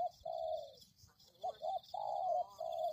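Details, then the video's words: Luring recording with a spotted dove giving soft low coos: a long note, a pause, two brief paired notes, then two longer drawn coos, over a steady high faint tone. "Pikat Tekukur"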